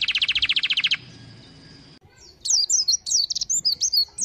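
A white-eye opens with a fast buzzy trill of about fifteen pulses in a second, then pauses and follows with high, sweet twittering chirps in a quick, varied run.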